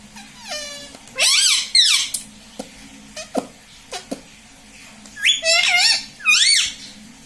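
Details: ['A pet parrot known for talking gives several loud, wavering harmonic phrases, some rising and falling in pitch. Scattered knocks and clicks are heard between the phrases in a small room.']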